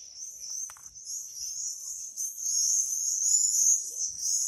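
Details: Swifts in song: continuous shrill, high, trilling screams from several birds, growing louder in the second half, with a single click early on.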